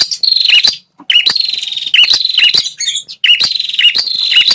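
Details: Red-headed prinia call, played to provoke wild male prinias into an aggressive territorial response: bright repeated chirps around a steady high buzzy tone, in bursts under a second long separated by short gaps.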